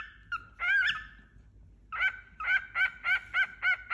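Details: Tame young male cockatiel, about four months old, newly kept as a companion for another pet cockatiel, giving a long whistled note, then a run of short, squawky, slightly rising chirps repeated about three times a second over a low indoor hum.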